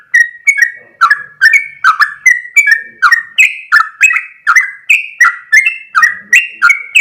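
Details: Chatty yellow-vented bulbul delivering a long ropel song: an unbroken string of crisp whistled notes alternating higher and lower pitch, several rising slightly, about three per second, with faint soft chatter behind.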